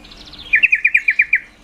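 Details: Female yellow-vented bulbul calling to excite males' mating drive: eight fast, sharp notes in under a second, each dipping slightly, preceded by a fainter higher series of notes.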